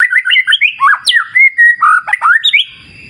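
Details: Murai batu, the white-rumped shama, in a clear-river wild-nature therapy recording: a fast run of clear whistled slurs, rising then dropping, with a sharp high upsweep midway and a faint rumble fading at the end.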